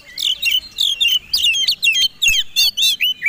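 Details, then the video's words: Fighting-type Oriental magpie-robin singing to provoke others: loud, rich whistled phrases with fast slurs and buzzy overtones, given in steady bursts roughly every third of a second. "Suara Kombinasi Kacer Tarung Super Gacor"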